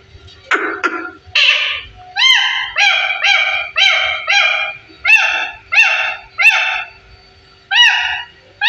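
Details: Parrot said to be 15 years old, talking: a run of about a dozen repeated harmonic, nasal syllables, each roughly half a second long, preceded by a few rougher squawky notes.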